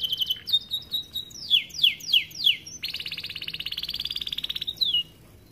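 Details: Starblue-coloured canary song used as a tutor for young canaries: quick high chirps, a run of falling slurred whistles, then a long fast rattling trill before a closing whistle.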